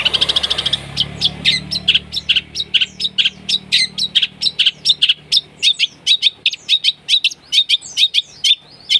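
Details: Long-tailed shrike in full, rough-toned song, played to stir a shrike that has stopped singing: a fast unbroken stream of shrill, scratchy chips and squeaks, several per second, after a brief buzzy opening.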